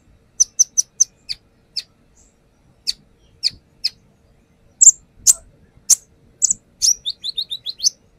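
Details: A brown-throated sunbird sings as a lure, spaced high chips repeated about twice a second, building to loud sharp notes and a fast closing series of lower whistled notes.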